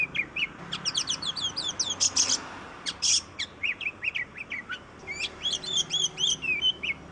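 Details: Energetic Oriental magpie-robin song played to prompt reluctant birds to sing: dense clusters of high chips, two harsh rasping bursts, then sweet wavering whistles that rise and dip, nearly nonstop.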